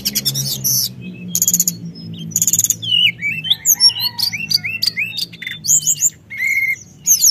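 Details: Sunda whistling thrush singing to provoke other birds: three dry buzzy rattles, then a lively sequence of rising and falling whistles and squeaks, with low background hum.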